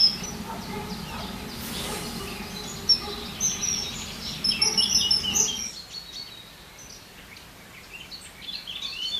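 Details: Common kingfisher calling by the water on a Sunday: brief, thin, very high piercing whistles clustered mid-clip over steady low ambient rumble that drops away toward the end.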